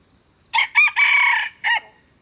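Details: Red junglefowl crowing, one crow made of a short harsh opening note, two longer strained segments and a clipped falling final note, over about 1.3 seconds against a quiet background.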